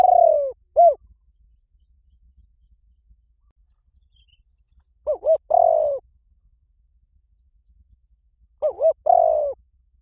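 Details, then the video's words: Spotted dove call for attracting doves: low hollow coos in three phrases roughly four seconds apart, each pairing short undulating hoots with a prolonged downward-sliding rolled note. "Tiếng chim cu gáy gọi dùng kích bổi yếu nhanh nổi"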